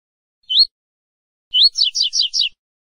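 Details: Double-collared seedeater, training song of the "tui-tui" type ("canto fibra"): a single rising whistle, then the same upslurred note followed by four quick, bright, down-slurred notes in a short phrase.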